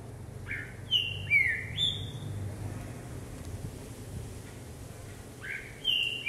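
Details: Green-winged saltator kept in a cage and hopping on a training perch sings a phrase of three downslurred whistles, then rests and starts again, set against a low rumbling hum.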